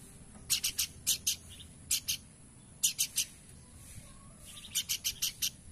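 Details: Horsfield's babbler producing short clusters of two to three harsh notes at irregular intervals, ending with a rapid group of five, over a quiet background.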